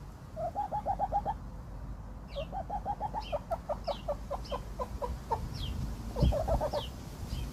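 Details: Chickens in a barn: runs of quick, evenly spaced clucks in short series, with faint higher squeaky notes and a steady low background rumble.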